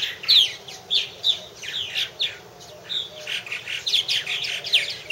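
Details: Purple martins at a nest house chatter in a steady stream of quick, gurgling chirps and throaty notes, several birds overlapping with short bursts every half second or so.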